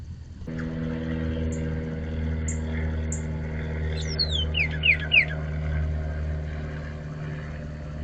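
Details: A northern cardinal sings at night in the dark, giving a brief burst of clear, downslurred whistles over a steady, low engine hum, with a few faint high chips before.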